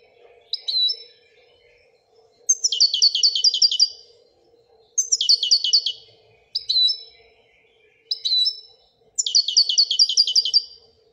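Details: European goldfinch from Morocco performing Wedania-style song: short chirps alternate with quick rattling trills of repeated high notes, each burst lasting about one to two seconds with brief silences between, a soft steady hum underneath.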